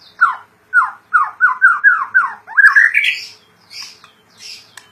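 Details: Kept white-rumped shama in full song: a run of six or seven clear, downslurred whistled notes in quick succession, then a rising slurred phrase and a few thin, high trailing notes, in a quiet room.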